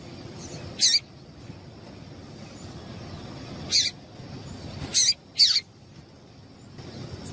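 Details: Call of a female papa-capim, or Double-collared seedeater, meant to stir males to sing, valued by tournament breeders; four brief piercing high notes, one alone, then three closer together, against low constant background hiss.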